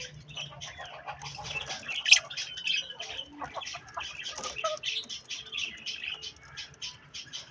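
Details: Budgies, several parakeets, eating strawberries; dense high chattering and warbling runs with brief squawks and one sharp peak near two seconds, low steady hum underneath.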